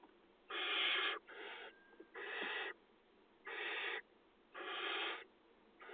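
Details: Barn owl chicks begging at feeding time in a nest box in agricultural fields, 2020 nesting season, with harsh, rasping hisses, each about half a second to a second, repeated roughly every second, with quiet between.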